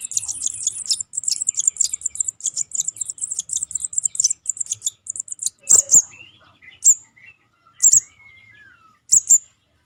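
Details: Sogon juvenile lure recording: a rapid, high twittering chatter for about five seconds, then separate loud high slurred chirps every second or so, with a faint thin whistle in between.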